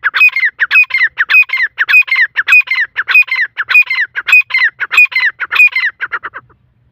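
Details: Black francolin (Irani teetar) delivering a long, steady run of harsh, chattering phrases, roughly a hundred per minute, each with a squeaky rising-falling note, tapering into softer clipped notes at the end.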